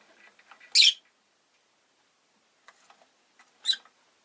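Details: Rosy-faced lovebird kept as a pet, two sharp, shrill chirps about three seconds apart, separated by soft scratchy rustling and near silence.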